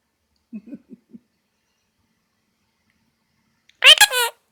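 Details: A pet male Monk (Quaker) parakeet, chatting indoors with his owner, gives a loud, harsh, rasping squawk after a few soft low murmurs.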